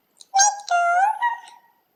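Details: Indoor parrot voicing a short speech-like phrase: a brief clipped syllable, then a longer, steady, tonal vowel-like sound that slowly rises and fades.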